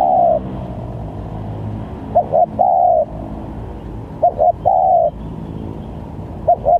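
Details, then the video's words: Spotted dove used as a trapping lure, with varied calls. Each phrase has a pair of quick coos followed by a sustained, slightly falling coo, recurring about every two seconds against low background hum. "Pancingan Tekukur||Berpariasi Bunyinya||Cocok buat Mancing Pikat"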